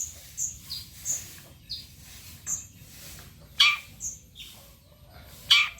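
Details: Long-tailed shrike lure song meant to draw replies from other shrikes: scattered thin high whistles and downslurred notes, broken twice by loud harsh rasping bursts, over a faint background hiss.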